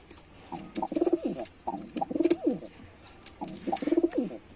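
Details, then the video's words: Short burst of a male white pigeon's display: three stuttering low coo phrases in quick rhythm, each a pulsed throaty roll. "Pigeon Sound Effect (Ultra High Quality) || Male Pigeon Super Performance || white pigeon"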